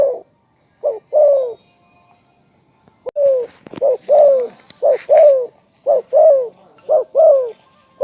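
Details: Spotted dove calling steadily: short hooked notes and rough falling coos follow each other about once a second, quickening toward the end. Faint clicks are heard in the background.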